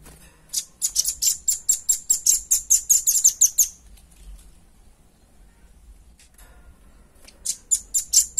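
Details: Clear song of a velvet-fronted nuthatch, used to stimulate and tutor other birds. A rapid series of high, piercing notes lasts about three seconds, then quiet follows, then a new burst of the same notes starts near the end.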